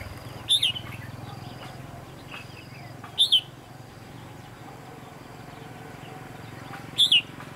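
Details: Red-whiskered bulbul used in bird trapping on 23 October 2016, giving three short, bright, slurred phrases spaced about three seconds apart over a low steady background hum.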